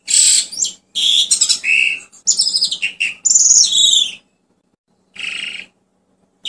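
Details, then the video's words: Asian pied starling singing in captivity, used to lure other birds: dense bursts of raspy, buzzy notes and high whistles, a long run followed by a silence and one short final burst. "SUARA ASLI JALAK SUREN UNTUK PANCINGAN ATAUPUN TERAPI BURUNG ANDA"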